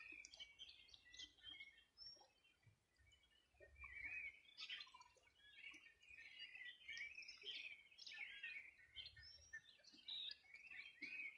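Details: A busy dawn-chorus-like mix of birds along the Río Bueno in Los Ríos Region, Chile, summer morning 2020: continuous high chirps, trills and twitters from many birds, louder in the second half.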